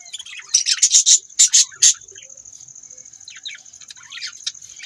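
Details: Budgies burst into a quick series of loud, harsh squawky chirps, about six in a row, then drop to softer, scattered twitters over a steady high whine.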